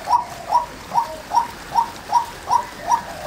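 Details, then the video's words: Female white-breasted waterhen calling: short, hoarse calls around a thousand cycles, repeated steadily about every 0.4 seconds, with no other clear sounds. "Chim Cuốc Mái Kêu"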